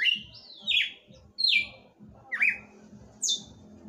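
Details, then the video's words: Late-night song of a captive Red-cowled cardinal: bright whistled notes gliding downward, the last one high and sharp, spaced under a second apart, with faint rhythmic low thuds behind. "Galo de campina cantando à noite."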